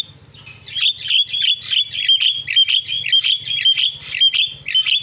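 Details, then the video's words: Javan myna pouring out a steady stream of buzzy, squawky whistled notes repeated almost twice a second, with a low rumbling hum underneath throughout. "SUARA ISIAN..!! JALAK KEBO PALING KRENN"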